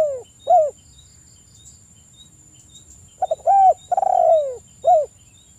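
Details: Spotted dove coos meant to trigger calling in other doves: short falling coos, then a stammered lead-in, a clear coo, a long rolling croo sliding downward, and a final short coo.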